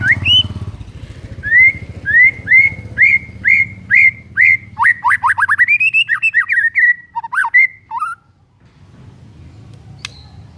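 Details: Morning white-rumped shama song, played to get lazy birds singing: a series of upslurred whistles that speeds into a fast string of notes, then a wavering warble and falling whistles, ending in quiet.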